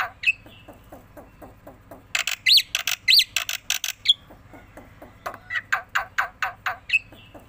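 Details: Black-winged myna, a tame bird, bobbing its head as it sings: soft ticking notes, then loud raspy bursts with two sharp rising whistles. The bird pauses, then gives a renewed series of harsh repeated chatters.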